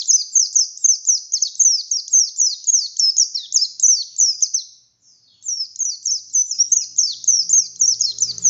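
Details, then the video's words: Oriental white-eye, buxtoni form, in spirited song meant to draw other white-eyes into singing: long runs of rapid high, sliding-down chirps, a brief break, then more, with a faint low hum at the end. "Burung pleci Buxtoni Gacor Buka Paruh Nembak Bongkar isian"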